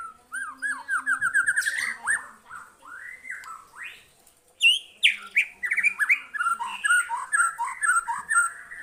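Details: Responding to a lure recording, a white-rumped shama delivers a long, varied song: rising whistled runs, rapid trills and sharp high notes, with brief pauses between bursts.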